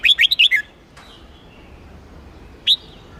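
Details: Caged red-whiskered bulbul of the Hue type, trained for contests and to excite wild-caught birds. A brief burst of five quick warbled notes, quiet, then one rising, drawn-out whistled note near the end.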